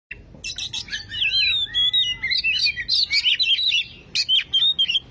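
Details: Oriental magpie-robin song played as a lure to start a silent bird singing: loud, rich, varied whistles sliding up and down, tumbling phrases with sharp chips and brief gaps, strong and continuous.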